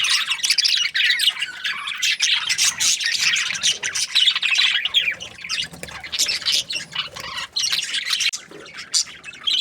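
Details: Happy budgerigars chirping in a noisy group: steady high, scratchy warbles and squeaky squawks overlapping without pause, loud throughout with brief dips.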